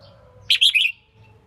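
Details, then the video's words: Female red-whiskered bulbul singing to stimulate male competition birds: a single crisp three-note phrase, rising then falling, over a faint steady tone and low hum. "Tiếng chim chào mào yếu lửa hót không đè"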